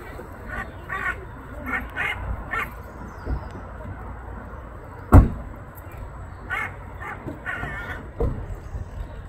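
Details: A hooded crow in Ireland, begging for food, gives harsh, nasal caws in short bursts of two or three, pausing midway, over a low rumble of background noise and one sharp knock.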